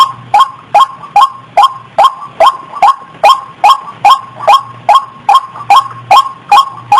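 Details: Female white-breasted waterhen in breeding condition, recorded as she prepared to mate: about 17 loud, harsh, nasal notes delivered at a steady rhythm, roughly one every 0.4 seconds, over a faint continuous low hum.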